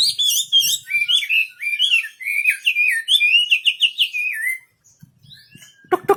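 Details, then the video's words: Wambi bird singing vigorously: a rapid, chattering series of looping whistled notes that climb and dip, speeding into a quick trill before stopping, then a sharp knock near the end. "Burung wambi istimewa gacor full"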